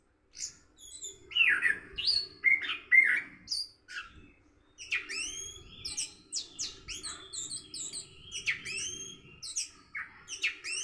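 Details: Morning practice of a 'rock and roll' song by an orange-headed thrush: loud whistled phrases at first, then after a short gap a quick series of sharp, high, sweeping chirps and twitters, about two per second.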